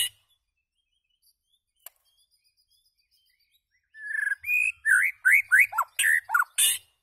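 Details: After a few seconds of near silence, a white-rumped shama breaks into song: rapid, looping whistled notes that swoop and fall, each paired with a sharp click, about two per second.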